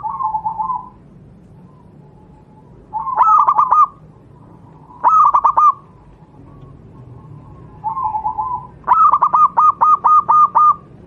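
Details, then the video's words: Zebra dove from the local wild Javanese stock, for training other doves: soft rolling coo phrases alternate with loud bursts of rapid staccato notes; the last burst runs into a long series of about eight evenly spaced clipped coos. "burung Perkutut lokal alam, suara untuk masteran perkutut anda"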